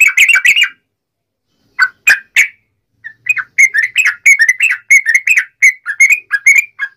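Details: Yellow-vented bulbul wild-fight song used to make other birds respond: a short chattering burst, a pause with a few isolated notes, then a long steady run of bubbly slurred notes.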